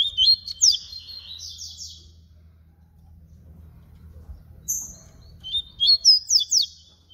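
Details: Papa-capim baiano (yellow-bellied seedeater) delivering its flute song: lively whistled and buzzy notes with sharp upward slurs, a long pause, a single high note, then another rapid whistled phrase.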